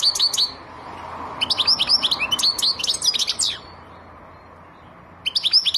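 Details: Silvestrismo recording of a European goldfinch: a brief opening twitter, then a two-second phrase of fast, tinkling chirps and slurred notes, silence, and a short new burst at the end.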